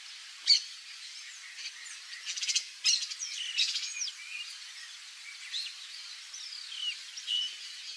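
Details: Wild Yellow-rumped marshbird, free in nature. A busy run of sharp, high whistled notes, buzzy rasping bursts and squawks overlaps throughout, with louder clipped calls near the start and middle, in an open outdoor setting.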